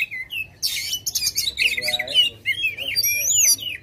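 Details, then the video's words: Aggressive White-rumped shama, tail spread, song used to coax a lazy bird into singing: brief pause, then loud buzzy chatter followed by clear rising and falling whistled notes, over a faint low hum. "Suara Kacer Gacor agresif buka ekor Ampuh buat bikin kacer males jadi gacor"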